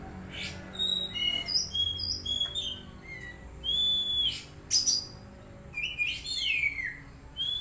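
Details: Untrained magpie-robin kept caged and tended daily: a busy string of short clear whistles and chirps at varied pitches, with a few harsher slurred notes and downward sweeps toward the end.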